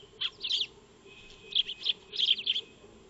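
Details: Eurasian tree sparrows feeding in a backyard under a solar-powered trail camera: two short bursts of high, slightly buzzy chirps, then a closer cluster of rapid chirps, with a faint steady hum.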